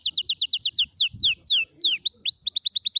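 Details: Canary singing as a model for young birds learning song: evenly spaced, quickly repeated downslurred whistles, a few slower sweeping notes, then upward-hooked notes and a final run of fast repeated notes.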